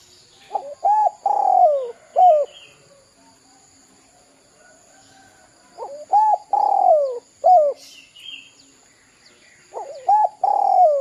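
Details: Spotted dove, "kuk 2" style, used as a lure for young birds. Three low phrases about four seconds apart, each a cluster of short hooked coos around one longer falling coo. A brief higher chirp sounds in one of the gaps.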